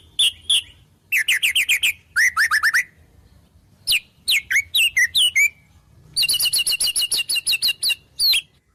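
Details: White-rumped shama delivering song stuffed with mimicked wild-bird phrases: bursts of rapid sharp chips and whistled slurs separated by short pauses, ending in a long fast chattering series.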